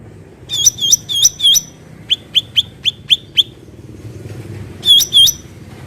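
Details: Wild black-headed bulbul singing: four loud hooked whistles, then a quick run of six even, clipped notes about four per second, and after a short gap a final pair of hooked whistles, with low background hum.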